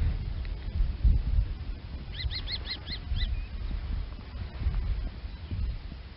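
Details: Common kestrel uttering six quick, arched, shrill notes in a short burst, half-buried under strong low rumbling background noise.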